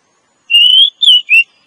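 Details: Female Oriental magpie-robin attracting a male, used to lure males in the forest. One long, slightly rising whistle is followed by two shorter falling whistles, all clean and bright against silence.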